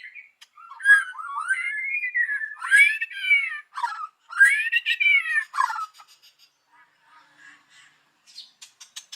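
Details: White-rumped shama singing in the morning as a bird lure: rich looping whistled phrases rising and falling, followed by faint scattered high notes.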